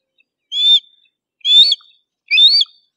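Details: Harris's hawk, Parabuteo unicinctus, calling three times at about one-second intervals, each a loud, harsh, nasal squeal with a slight upward inflection.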